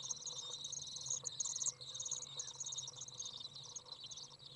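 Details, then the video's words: Young Common Swifts out of the nest being fed by a parent on a very warm 30-degree day, 27 June 2011: steady high buzzy trilling, a louder excited burst around the middle, then quieter chatter, low hum beneath. "Common Swift young out of the nest, warm, feeding"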